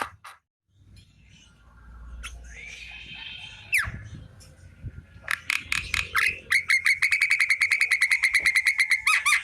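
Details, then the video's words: Javan myna singing in the afternoon: a long rising whistle, a sliding note, then a fast run of sharp clicks repeated about three times a second over a steady whistled tone. "Burung jalak kerbau di sore hari||suara jalak kebo full"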